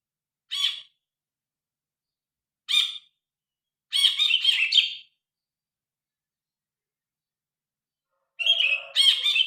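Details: Grey-cheeked bulbul with a loud, distinctive voice, phone-recorded: single harsh squawking notes spaced by two-second silences, a short stuttering cluster of raspy notes, then more grating notes at the end.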